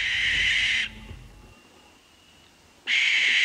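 A Barn Owl gives harsh, hissing shrieks, each lasting under a second, separated by a quiet gap of about two seconds.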